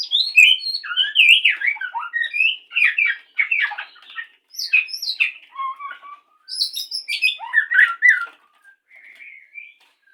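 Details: White-rumped shama from a breeding setting, courting before mating: rich, varied bursts of loud whistles, slurred rising and falling notes and quick chattering phrases, broken by brief pauses, fading to softer, thinner notes near the end; otherwise quiet.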